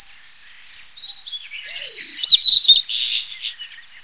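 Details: Blue-and-white Flycatcher (Cyanoptila cyanomelana), a species breeding in Northeast Asia and wintering south to South China, the Malay Peninsula, the Philippines and Taiwan, gives high, clear whistled phrases with quick slurred notes and short chirps, loudest in the middle.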